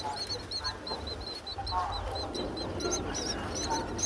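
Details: In the breeding season, hungry myna chicks in a nest high on a palm tree, being fed by their mother, give rapid, harsh, high squeaky notes several times a second, with lower rasping calls between, over a steady hiss.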